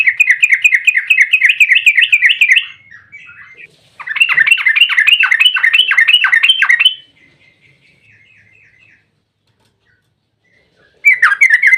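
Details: Excited yellow-vented bulbul giving a lure song in the 'ropel panjang' style: two long runs of very fast, buzzy chattering notes separated by quieter trailing chirps, with a further sharp burst at the end.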